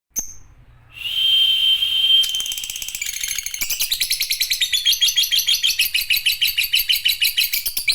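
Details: Lovebird giving a long chattering song: a steady high whine near the start, then rapid buzzy chattering notes speeding up into a dense, evenly pulsed rattle that builds in loudness.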